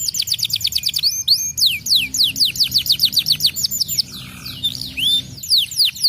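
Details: Domestic canary in full song used to prompt other birds to sing: fast rolling trills of high whistled notes, sweeping downslurs, a brief lower buzzy phrase near the end, over a soft low hum.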